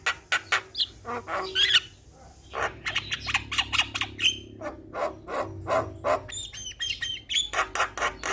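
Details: Energetic Javan myna song used as a lure: rapid dry clicks and rattles interspersed with short whistles and harsh squawks, continuing steadily throughout.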